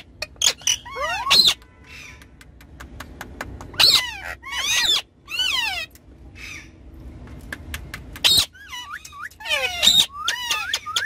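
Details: Pet ringneck parrots, several birds, having fun on a car back seat: loud squawks and bent, sliding whistled calls in bursts every few seconds, with quieter chatter and a low hum between the bursts.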